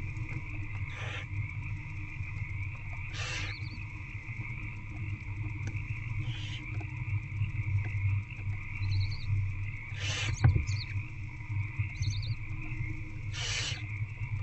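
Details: Nestling barn owls fed by their mother inside a nest box at about 9:20 pm on 8 February 2024; a few short, harsh hissing bursts spaced several seconds apart, faint high twitters, and a thud, against a constant low hum.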